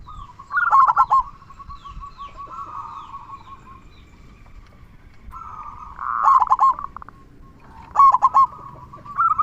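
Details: Local zebra dove (perkutut lokal), a keen singer with a big 'kung' voice, used to rouse other doves. Three loud stuttering coo bursts are separated by long stretches of low, steady cooing.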